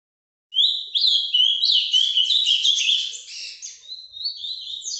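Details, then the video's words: Azulão, or Ultramarine grosbeak, from a breeder, performing its Paraná vinte vinte song live: a continuous stream of rapid, high warbled and whistled notes, many slurring downward, lasting over four seconds. "azulão Paraná vinte vinte ao vivo"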